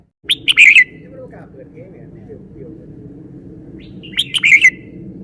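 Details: A red-whiskered bulbul shows its song phrasing with two quick, lively bursts of chirped and whistled notes about four seconds apart, separated by a steady low hum.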